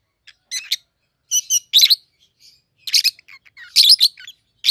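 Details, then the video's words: Captive pair of 7-8-month-old peach-faced lovebirds, one red-headed green opaline, one red-faced dark green, exchanging sharp, piercing double and triple chirps at irregular intervals in a quiet indoor setting. "Peach-Faced Lovebird's Sounds"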